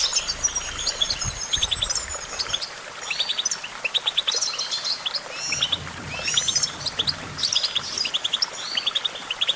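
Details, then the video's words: Goldfinch song: dense, rapid twittering of high chirps and short trills, with bursts of buzzy notes and clusters of quick repeated tweets. Several overlapping phrases suggest more than one singer. A faint low rumble sits underneath. "Vocal virtuoso: activating enhancing your goldfinch songbird prowess"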